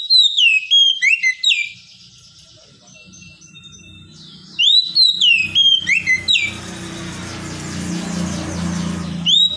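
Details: Oriental magpie-robin singing loud, clear whistled phrases of rising and falling notes, a burst in the first two seconds and another after a quiet gap, then a rush of broad hissing noise over low hum before a final note.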